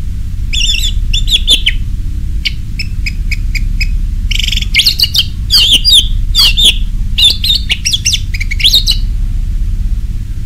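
An orange-headed thrush sings loud, varied phrases of rich whistles and quick chattering notes, one after another with short gaps, over a steady low rumble.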